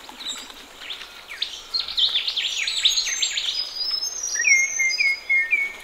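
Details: Ring-necked parrots having a morning bath in a pond give busy, rasping chatter, then a short series of four clear whistled notes, evenly spaced about half a second apart.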